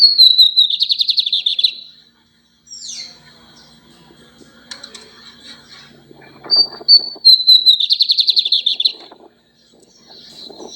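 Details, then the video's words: Lined seedeater singing a lot: two full songs, each opening with a high whistle that breaks into a rapid buzzy rattling trill. Between them come scattered chips and soft clicking noises. "bigodinho cantando muito"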